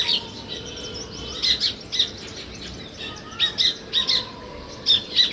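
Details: Sparrows give harsh, high chirps in quick pairs and clusters, several bursts each second, over a soft steady background hiss, recorded where weaver birds are building a nest.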